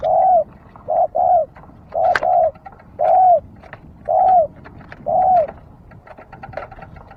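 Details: A dove calls in a run of six short, mellow coos, each note slightly rising then falling, spaced roughly one per second over a quiet background with faint clicks.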